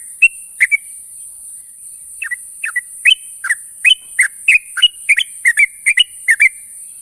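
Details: Sooty-headed bulbul calling companions in the morning: bright whistled notes, each a quick drop or upward flick, repeated in rapid pairs and triplets, with a steady high hiss throughout.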